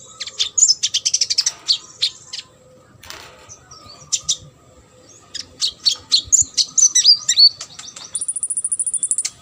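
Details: Energetic olive-backed sunbird song used to tutor competition birds: quick runs of high, sharp twittering notes and slurred whistles, a short pause, then more chattering and a thin sustained buzzy trill at the end.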